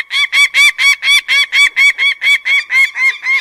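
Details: Loud, grating notes from a peregrine falcon, repeated about twice a second in a steady rhythm. Each note is a harsh, slightly rising syllable.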